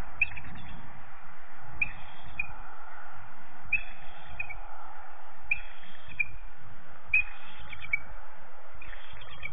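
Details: A bald eagle perched on a nest cam on the morning of 13 January 2014 gives thin, high chirping calls in short bursts about every two seconds, over a steady low rumble of wind. The sound cuts in and out.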